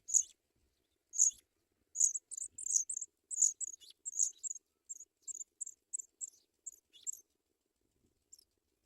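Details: African pipit nestlings in the nest as adults bring white butterflies to feed them: thin, very high squeaky chips in quick bursts, about twenty over seven seconds, then silence.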